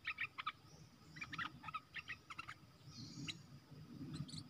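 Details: Caged red-whiskered bulbul singing in the 'dok taeng' style as a decoy to lure wild birds, 12 September 2021; quick bursts of bright chirpy notes, several in fast succession, over a low rumbling background.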